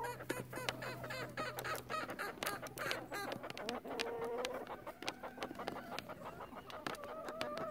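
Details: Contented chicken flock with rapid, stuttering clucks and short squeaky notes from many hens at once, a low hum fading after three seconds, then softer drawn-out purring calls and pecking clicks.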